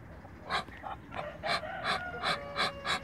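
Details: Muscovy ducks, two brother males and one female, in a backyard, the males asserting dominance: a run of breathy, hissing puffs, about three per second, each a short broadband burst, with a faint thin tonal whine underneath.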